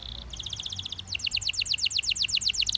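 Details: Russian canary singing: a short steady high whistle, then rapid rows of bright trilled notes, slightly descending, repeated quickly for about two seconds, with faint low hum beneath.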